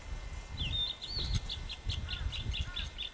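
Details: A male blue-and-white flycatcher, newly arrived in early May 1997, sings in the early morning in Ussuri taiga on the Bikin River: a clear slurred whistle, then a quick run of rapidly repeated notes, over a low rumble.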